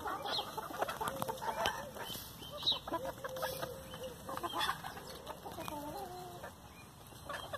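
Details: Several chickens feeding eagerly on leftover hamburger buns, giving soft low clucks and short rising tonal calls scattered through the clip, with frequent clicking and pecking sounds.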